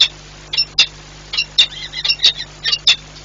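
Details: Peregrine falcon pair changing over at the nest, Orlen Płock, Poland, 4 April 2021; rapid series of shrill, squeaky chips and short wailing notes, roughly one every half second, with a constant low electrical hum.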